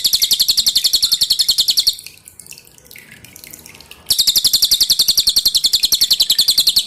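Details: Pin-striped tit-babbler, recorded to tutor cage birds, singing its loud, dense song with dripping water: a rapid high note series, a two-second lull with softer sounds, then another long run of rapid, piercing repeated notes.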